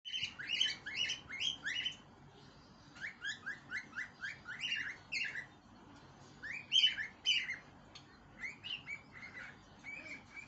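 A cockatiel sings a bright, chirpy warble of quick rising and falling notes in bursts.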